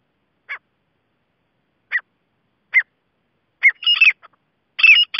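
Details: Grey francolin starting with spaced single short notes that quicken into scratchy phrases with falling whistled slurs, building into its repeated call.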